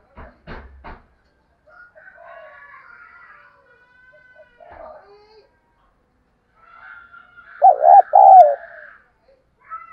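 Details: Excited cooing from a decoy spotted dove: a brief, loud, wavering burst of deep coos late on, preceded by scattered thin chirps and clicks from other birds.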